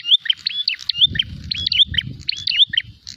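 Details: Prinia looking for a rival to fight, producing quick chirping notes with upward slides, tightly repeated, over noticeable low rumbling background noise.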